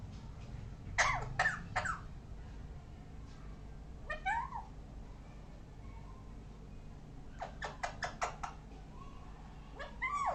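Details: Parrot producing bursts of sharp clicks, a short downward-curving squawk, then another quick click series and a final rising squeal, over a low background hum.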